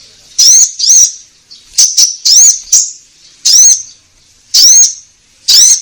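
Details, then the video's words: Song of an orange-headed thrush meant to start caged birds singing: loud ringing arched whistles, rising then dropping, given singly or in pairs with short pauses, plus a few quick chips. "Pancingan Konin Gacor Langsung Nyaut"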